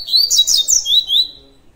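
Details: Tui tui song of a double-collared seedeater: a fast string of high, bright whistled notes, several swooping downward, that fades into one thin drawn-out tone.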